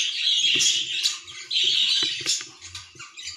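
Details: A young budgerigar chick on its last day of weaning gives harsh, raspy squawks in two long bursts, then shorter scratchy calls, in a quiet indoor room.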